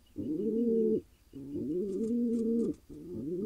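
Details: Low, drawn-out coos from a wild male pigeon in Israel, happy after pairing with a mate; three phrases, the middle one longest, each ending abruptly before a short pause.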